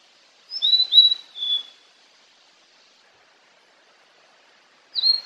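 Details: A blue-and-white flycatcher in Bogor, Indonesia, sings a brief phrase of three or four clear, high, slurred whistles; after a pause, a single falling whistle follows against a quiet background.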